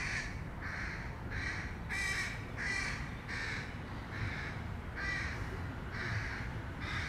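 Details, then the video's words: Crow young calling during feeding, about ten harsh, grating caws in an irregular rhythm, each short and nasal, with steady low background rumble. "Corneille / Crow Youngs feeding... or not."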